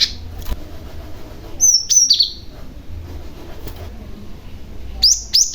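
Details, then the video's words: Young male Cinereous Tit used to entice other tits to reply, giving two brief clusters of sharp high chirps separated by about three seconds of near quiet. "BURUNG GLATIK PAUD GACOR , Si Pemancing Bunyi Glatik Lain Yang Handal"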